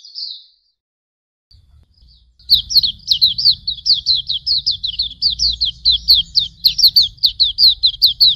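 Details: White-eye masteran recording: one short high note, a pause, then a sustained rapid series of high, sharply falling whistled chirps over a low hum.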